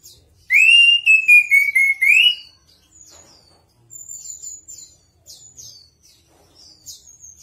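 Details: Chestnut-capped thrush song for use as a training tutor: a loud, rich whistled phrase of rising and falling slurs, pulsing over about two seconds, followed by softer high, thin whistles and chips.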